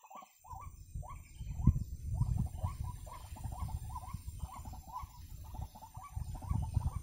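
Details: White-breasted waterhen calling at a trapping site, giving a steady series of clipped, croaking notes repeated about twice a second over a constant low rumble of wind or handling noise.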